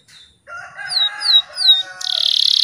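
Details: Morning canary song used as a lure for stressed, non-singing birds: a short whistle, then a run of clear swooping notes over a soft hum, ending in a sharp buzzy high trill.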